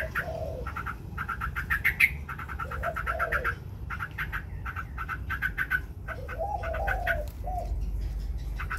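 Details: Singing white Chinese hwamei, competing and spreading its wings: clusters of quick sharp notes separated by short gaps, with occasional lower warbled phrases and a noticeable low rumble.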